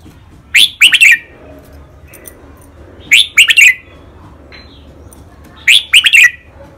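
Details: Red-whiskered bulbul, caged, singing the Thai 'rik', 'bernl', 'lak wai', 'mae bot' and 'nap dok' styles during training: the same loud phrase of three or four rich, quick whistles repeated three times, roughly every 2.6 seconds.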